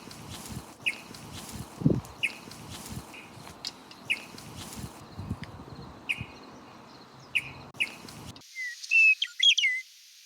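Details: A meadowlark gives sharp, short alarm notes about once a second in rocky mountainside habitat in the Okanagan Valley, British Columbia, in spring 2023, over crunching footsteps, then a brief run of clearer whistled chirps.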